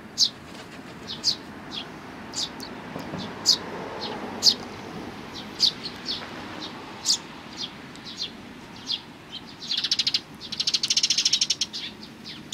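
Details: Sparrow family of chicks and parents, 17 May 2019: bright, short chirps spaced irregularly about a second apart, followed near the end by a burst of rapid, rattling, fluttery sound.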